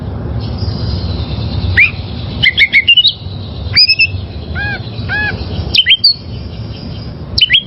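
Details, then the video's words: Wild oriental magpie-robin recorded for training caged birds: scattered sharp slurred whistles and two low arched notes over a steady hiss of background noise. "Masteran Suara Burung Kacer Liyar"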